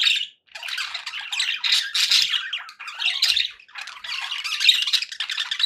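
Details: Happy domestic budgies warble and chirp almost without stopping, a raspy, fast twittering with short sharp squeaks and a couple of brief gaps.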